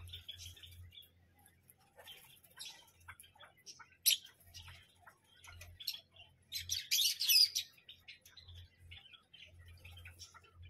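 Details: Parrot giving short, sharp chirps and tweets in scattered bursts, with a loud harsh burst near the middle and a dense shrill outburst later, over a steady low electrical hum.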